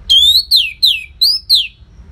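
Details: Orange-headed thrush giving loud, rasping notes: five drawn-out slurred calls, some rising, most sliding downward, evenly spaced about every third of a second.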